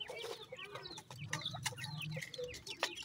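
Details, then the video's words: Francolin chicks, filmed with pheasant chicks, playing and exploring. Overlapping short high peeps and down-slurred chirps crowd together, over a low steady hum. "francolin baby chicks"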